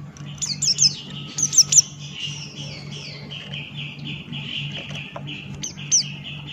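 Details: Buxton's white-eye singing in the ngalas, open-beaked style: bursts of sharp, high chirps and short descending whistles early on and near the end, over a steady lower whistled trill and a constant low hum.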